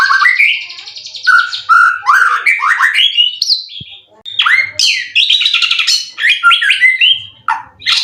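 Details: Caged white-rumped shama, a competition bird with 12 wins and three moults, said to be in 90% condition with song material full of cililin; a rich, varied song of whistled slurs, rising and falling phrases and rapid chattering trills, nearly continuous.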